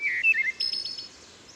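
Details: A Wood Thrush sings fluty phrases, a few low mellow notes then a high shimmering trill, with woodpecker drumming, richly reverberant from forest and a steep stream grade, at Herring Run stream, Susquehanna State Park near Havre de Grace, Maryland.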